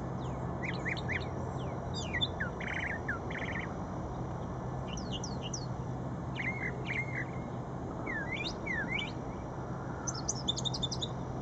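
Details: A brown thrasher sings at Shred-It Pond: a lively string of varied phrases, many given twice in quick succession, with sharp chirps, slurred whistles and brief buzzy notes, over a steady low rumble.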